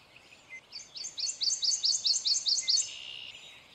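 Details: Male prothonotary warbler singing: a clear, ringing series of about ten sharp, high, evenly spaced upslurred notes repeated rapidly over two seconds, over a steady background hiss.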